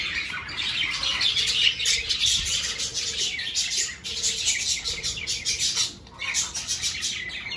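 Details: Many budgerigars chatter in an aviary fitted with clay pots for breeding season. Bright, scratchy chirps and warbled notes run continuously, with a short lull near the middle and another toward the end.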